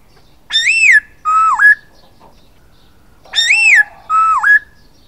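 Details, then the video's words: Silver-eared laughingthrush giving a repeated two-part phrase twice: a ringing arched whistle with strong overtones, then a steady whistle that dips sharply and rises at the end. "Khướu bạc má hót"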